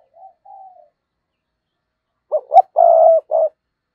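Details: Decoy spotted dove giving its lure calls, the 'thúc' and 'gáy gọi' styles used for trapping, 2022: two soft, low hooting coos, a pause, then a loud rhythmic series of two short notes and a long sustained coo.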